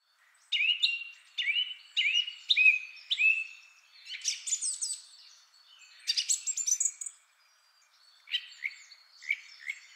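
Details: Male Song Thrush, the first of three males, singing a rich song of long complex phrases: a clear whistled figure repeated four times, then higher, more intricate phrases and a short pause before softer notes.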